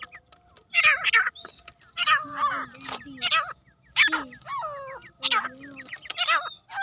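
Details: Grey francolin (teetar) calling with loud, grating phrases about every second. Some phrases end in lower, drawn-out falling notes, and a faint low hum runs underneath.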